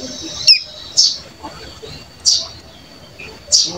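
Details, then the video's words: Caged one-month-old Bar-winged Prinia (ciblek gunung) learning to sing, giving soft 'ngeriwik' practice calls: a few brief high chirps spaced about a second apart, with a faint steady high tone behind them. "Cigun Belajar Bunyi Ngeriwik Halus"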